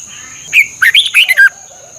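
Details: Red-whiskered bulbul in Thailand, recorded as training song for caged birds. A single short phrase of four or five quick, melodious whistled notes rises and then drops, over a faint continuous high-pitched hum.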